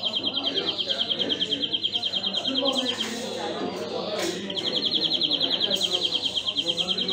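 European greenfinch giving a fast, even, high trill for about three seconds, a short pause, then another trill, over a low background murmur.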